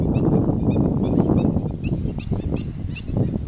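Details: Black-winged stilt giving sharp, nasal yelping notes repeated about three times a second, somewhat irregular, over a loud low rumble of wind or handling noise.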